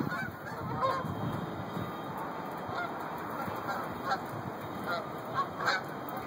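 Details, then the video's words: Large flock of geese in Lexington, Kentucky, recorded 2/4/13: a dense, continuous roar of overlapping honks and chatter, with occasional louder single honks standing out near the middle and end. "Geese Invasion!!"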